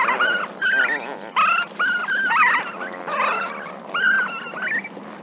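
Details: Lesser flamingos, a group of adults and juveniles at Walvis Bay, Namibia, on 24 June 2019, give overlapping nasal, honking yelps, several per second, with rising and falling inflections, over a steady murmur of more distant birds.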